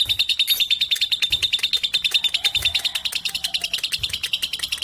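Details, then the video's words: Young lovebird, 3.5 months old, singing boldly in the presence of adult birds: a dense, rapid chatter of high chirps, about three notes a second, running steadily without a break. "Lovebird 3.5 🌒 berani trek dengan dewasa dan Cocok buat masteran"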